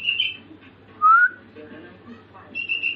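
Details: Sooty-headed bulbul; practice song; learning to copy other birds' songs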